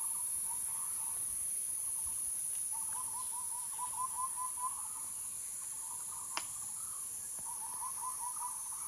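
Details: Bird calling in soft, rapid bursts of short notes at a mid pitch, delivered in uneven runs with brief pauses, over a steady high-pitched insect-like whine and a single sharp click.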